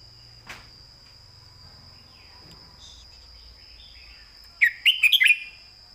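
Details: Southern-style master song of a caged red-whiskered bulbul, sung clearly for training other birds. A long quiet stretch with soft faint chirps comes first, then a sudden burst of five fast, bright warbling whistles near the end.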